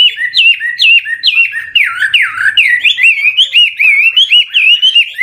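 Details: Seasoned wild-origin Chinese hwamei changing its song constantly to encourage newly caught birds to sing; loud, clear, downslurred whistles repeated in quick succession, shifting into fast, wavering rolling phrases.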